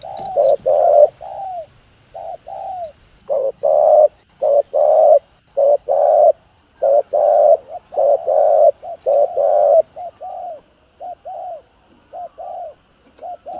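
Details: Rapid, nearly continuous hoarse cooing of a spotted dove, short blocky coos broken by curved falling notes, used to excite male doves. A thin high steady tone appears partway through, behind the birds.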